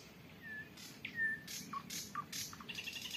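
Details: At sunset on a windless early-June evening in 2023, Volga region, Russia, one of three nightingales answering each other gives level pure whistles alternating with short rasping bursts and quick falling notes.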